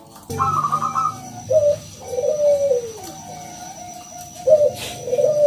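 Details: Lure song of a local zebra dove to get idle doves calling: brief trill, then low rolling coos with a long falling note, over a steady electrical hum.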